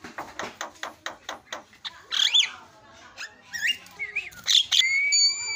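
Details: Javan myna singing as a lure to provoke other birds: a quick series of harsh clicking notes, then squeaky squeals, rising and falling whistles, and a final steady bright whistle.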